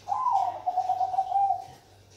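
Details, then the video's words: Bangkok perkutut, a zebra dove in lively song, opens almost at once with a mellow, quavering coo. The phrase falls from a higher start into a long rippling trill of about one and a half seconds, then fades over a faint hum. "Suara Burung perkutut Bangkok"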